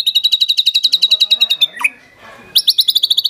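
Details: White-rumped shama delivering rapid-fire bursts in a rich mimicked repertoire: a fast series of sharp, evenly repeated notes, a short quiet break with a slurred dropping note, then another quick run of bright pulses.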